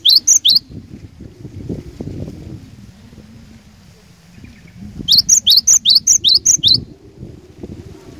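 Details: Glatik batu (cinereous tit) kept as a lure bird to provoke other tits into singing: two bursts of rapid, high, sharp repeated notes, about eight in quick succession, separated by a quiet stretch with a low background rumble.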